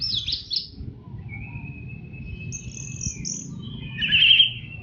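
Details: Orange-headed thrush singing the fast 'teler' master song meant for training caged birds. A long thin level whistle is followed by higher drawn notes and a loud warbled flourish at the end, with faint low rumble beneath.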